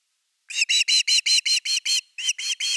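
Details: Evening at an osprey nest, 30 August 2021, fish delivery time: eight strong, piercing chirped notes in quick succession, a brief break, then three further notes, with no other sounds.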